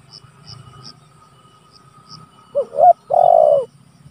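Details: Spotted dove calling rivals, meant as a lure and training recording: a short burst of hoots followed by one long level coo near the end, after quiet with faint ticking insects and a thin steady hum.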